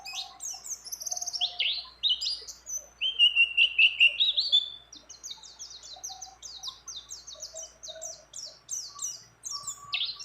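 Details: Female mountain white-eye in breeding condition calling to a male, mixed with other birds' phrases: varied high swoops, a brief lower warble, then a long fast chatter of repeated sharp chirps.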